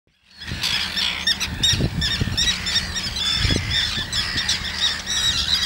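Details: Common terns with chicks only a few days old in Gothenburg's archipelago: dense, overlapping harsh, grating calls from many birds, with low rumbling wind noise beneath.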